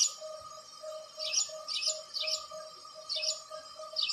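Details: Clusters of shrill, downward-sweeping house sparrow chirps come in short bursts of two or three, while a steady pulsing mechanical drone throbs underneath throughout.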